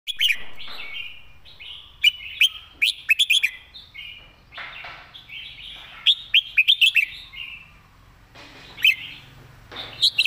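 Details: Caged red-whiskered bulbul singing a clear, well-phrased master song: bright whistled phrases with quick rising and falling notes, repeated in bursts every few seconds with short gaps.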